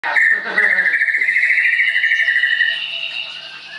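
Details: Caged Leuser-type White-rumped shama at a bird training school in Tangerang, Indonesia, giving one long, fast, buzzy trilled note held level for about two and a half seconds, then fading; faint voices at the start.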